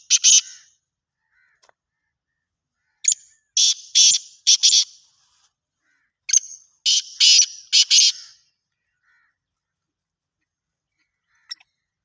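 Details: Voice of a black francolin: a series of loud rasping, scratchy phrases of three or four buzzy bursts, repeated about every three seconds, otherwise quiet.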